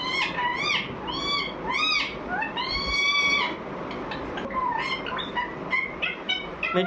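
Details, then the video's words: A parrot calling steadily indoors: arched, wailing harmonic notes repeated about every second, one long sustained drawn-out cry in the middle, then softer scattered chirps and squeaks, with faint background noise. "parrot sound"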